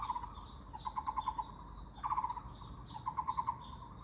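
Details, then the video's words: Short series from a Taiwan barbet: low, hollow pulsed notes in three bursts of about five, the middle burst louder, with faint higher bird twitters behind. "Muller’s Barbet 五色鳥"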